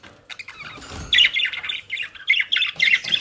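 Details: Several pet budgerigars in the Den Haag region of the Netherlands, given dry leaves and grass; continuous warbled chirps and squawks in quick succession after a brief low rustle.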